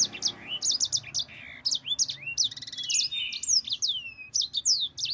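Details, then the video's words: Yellow-fronted canary, kept as a songbird and used as a tutor for other canaries, singing a long rolling ngerol song: rapid high-pitched whistled notes, sharp downslurs and buzzy trills run together in a continuous, busy stream. "Suara Burung Sanger Gacor NGEROL PANJANG PEDAS"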